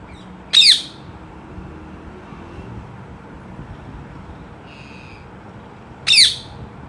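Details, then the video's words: Parrot vocalizing with its siblings, two short, shrill, high-pitched calls that sweep downward, spaced about five and a half seconds apart, with a faint brief tone between them over quiet background hiss. "Talking with siblings"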